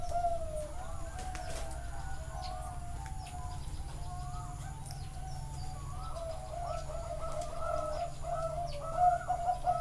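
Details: Chorus of Zebra doves at a bird farm in Chana, Thailand, recorded live: many overlapping, rapid staccato cooing phrases in a mid-pitched band, with steady low hum underneath and faint chirps above.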